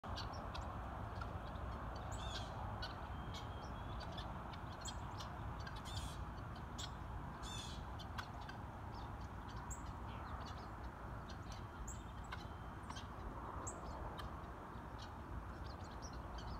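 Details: Helmeted guineafowl foraging for seed in a field give harsh, grating bursts of chatter over a steady low rumble.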